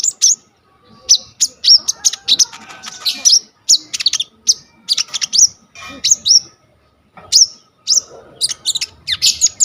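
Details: Coconut lorikeet in energetic song on a vivo Y21 phone recording used to train sunbirds: irregular loud shrill chirps and rasping squeals, clustered in quick groups with short silences.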